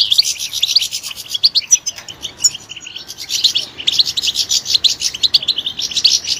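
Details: Bright European goldfinch song with a quieter, sparser stretch in the middle and a dense, loud burst of rapid twittering and buzzy trills at the end.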